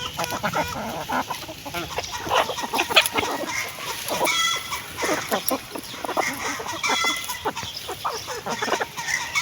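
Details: Chickens feeding, with rapid dry pecking clicks and scattered soft clucks running throughout, busy and irregular, without long calls.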